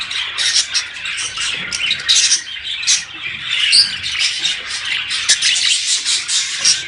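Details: Budgerigar flock chatter played to stimulate breeding: rapid pulsing bursts of raspy warbling and squeaky chirps, several birds overlapping, with a clear high note midway.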